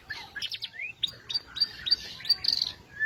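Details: White-rumped shama (murai batu) singing energetically: varied mix of clear rising whistles, short bright notes and harsher chattering phrases, over a low background hum.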